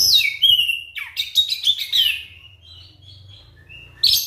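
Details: Kacer, the white-rumped shama, singing a provoking song meant to set other shamas singing: a bright whistled sweep, then a burst of quick harsh notes, soft fading whistles, and a final loud phrase; low hum underneath.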